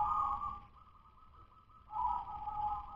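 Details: Local zebra dove, natural stock, song still rough 'dudut-nutut' type: two quieter trilled cooing phrases separated by a low hum, against a steady background hiss.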